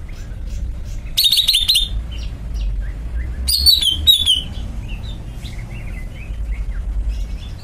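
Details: Greater green leafbird uttering two short bursts of high, quick twittering whistles, with faint softer chirps afterwards and constant low background noise.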